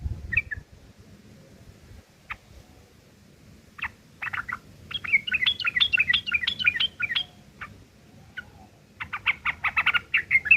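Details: Sooty-headed bulbul giving rough chattering, known as ngeriwik kasar and used to tutor long-tailed shrikes: scattered sharp chips, then a fast run of bright rising-falling notes, pauses, and a final burst of clipped notes.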